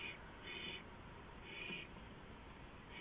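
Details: Owl on a porch at 2:05 AM on 5 April 2015, giving three short, harsh, hissing bursts about a second apart over steady background hiss.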